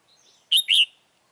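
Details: Red-whiskered bulbul singing as a lure during bird trapping, 28 February 2017. There is a single loud, clear phrase of two rapid, slurred notes, preceded by a faint distant chirp.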